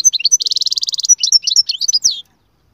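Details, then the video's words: Goldfinch song played to encourage a silent goldfinch to sing: fast high chirps, then a rapid even trill of repeated notes, then varied twittering phrases with rising and falling slurs. "أقوى تغريد مقنين يجعل المقنين الساكت يسير"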